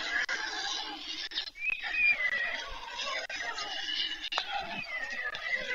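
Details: Begging white stork chicks at a nest in Ukraine's Pyriatynskyi National Nature Park, fed in the evening of 21 July 2024: a steady noisy hiss with harsh, whining harmonic notes, briefly dipping once before resuming.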